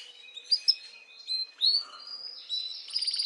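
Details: Canary song meant to stimulate females for mating, heard fairly softly: brief sharp whistled notes and short slurred phrases, ending in a quick high rattling roll.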